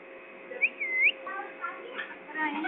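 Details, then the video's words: Parrot from Pakistan producing a bright upward-curving whistle that dips and rises again, followed by softer mumbled warbling notes over a steady faint hum. "parrot pakistani"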